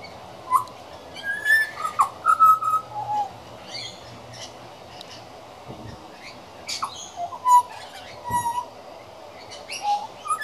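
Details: A regularly visiting juvenile male pied butcherbird practises his song: a rambling string of short, fluty whistles, mostly mid-pitched and some sliding, broken by quick clicks and scratchy high notes.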